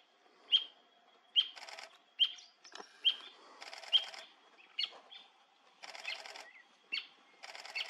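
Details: Brasilia tapaculo, an endangered species, singing at Serra da Canastra, Brazil, 2021, repeating a short sharp 'ewk' note roughly every 0.8 seconds, interleaved with buzzy, hissing bursts of another sound in the background.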